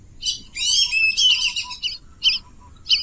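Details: Wild duck giving a burst of high, squealing harmonic calls, followed by three shorter spaced chirps, with a steady faint low background hum.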